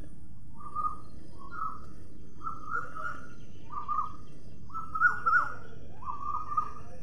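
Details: Rose-ringed parakeet kept as a pet, being offered food, repeats a short nasal note about every 0.8 seconds, seven or eight times, slightly louder toward the end, against low steady rumble.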